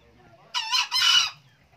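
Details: Old male green junglefowl crowing diligently: a single hoarse, two-part crow, a harsh rasping burst followed at once by a slightly longer, louder rasping note, lasting under a second in quiet surroundings.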